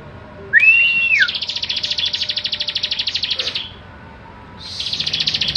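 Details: Singing bar-winged prinia, a kept bird in chatty 'gacor' form, recorded as master song for teaching other birds: a bent whistled note opens a rapid pulsed trill of about two and a half seconds, a pause, then the trill resumes.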